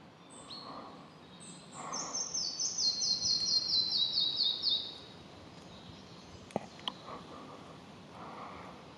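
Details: Red-breasted flycatcher song opening with a couple of thin high notes, then a bright accelerating series of repeated two-part notes that slowly descend and fade, with later clicks in a quiet background.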